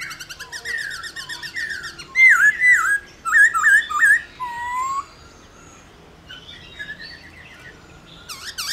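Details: Caged black-throated laughingthrush singing to rouse other laughingthrushes; loud looping whistled phrases repeated about once a second, then a quieter pause before a sharp rising note.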